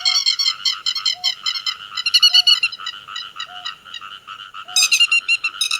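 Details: Grey-headed lapwing summoning the flock with bursts of loud, rasping, rapidly repeated notes, interrupted by a quieter stretch and a sudden louder burst near the end. A faint short beep recurs about every second.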